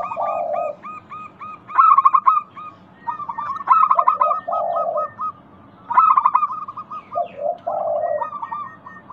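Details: Zebra dove, a local bird, singing as a lure to set other doves calling; bursts of quick, clipped coos alternate with drawn-out lower coos, repeating in phrases across the recording.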